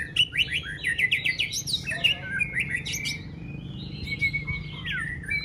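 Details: Contest-training white-rumped shama singing solo: fast run of sharp rising and falling whistled notes, then varied tumbling phrases and a long, gently sliding whistle, set against a steady low background rumble.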